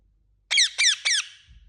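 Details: Indian ringneck parakeet giving three loud, harsh, downward-sliding screeches in quick succession, each about a fifth of a second long, then quiet.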